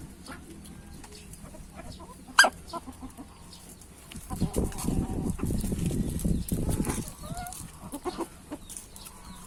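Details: Greedily fed hen choking: one sharp hiccup burst, then several seconds of loud low rustling and scuffling before things quiet down.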